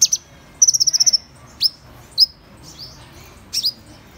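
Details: Van Hasselt's sunbird mixing a quick string of thin, high ticking notes with separate sharp downslurred chips and a doubled squeak, all very high-pitched over a quiet background.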